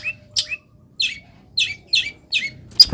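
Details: Caged long-tailed shrike singing in morning sun after misting: short high, slurred chirps with downward-bending tails, about two per second, low hum underneath and a click at the end.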